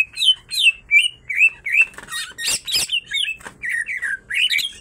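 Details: Greater green leafbird pair, female and male, both in full song with kingfisher-like phrases: evenly spaced downslurred whistles about three per second, interrupted midway by harsh, noisy bursts, then more bending notes.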